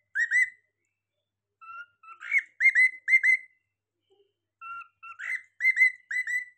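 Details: Cockatiel calling in clusters of short, sharp upslurred whistles, often paired, with brief flat whistled notes between bursts and quiet gaps.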